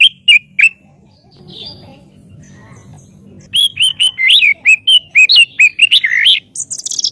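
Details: White-rumped shama singing as master audio for bird training: a few clipped notes, a quiet gap with low hum, then a lively string of rising and falling whistles.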